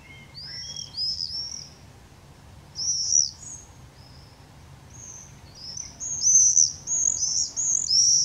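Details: Screaming common swifts under the roof gutter at Drostlaan on 31 May 2020, giving loud, shrill, slightly buzzy screeches in bursts, building to a rapid run of overlapping screams near the end; faint low hum beneath.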